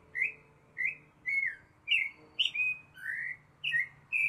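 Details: Baltimore oriole at La Garita, Alajuela, Costa Rica, giving rich, flute-like whistled notes, some slurred up or down, spaced about half a second apart, over a faint low hum.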